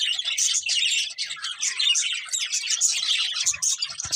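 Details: Budgies in busy chatter: a dense stream of fast chirps, warbles and squeaks at a steady loudness, with a couple of faint knocks at the end.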